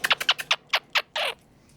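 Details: Pet Quaker parrot (Monk parakeet) gives a quick run of harsh, laugh-like bursts ending in a longer raspy note, laughing after biting its owner.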